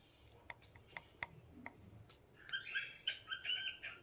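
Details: Pet cockatiel calling: a few soft scattered clicks, then a lively run of short whistled chirps with stacked bright tones, rising and falling quickly over the last second and a half.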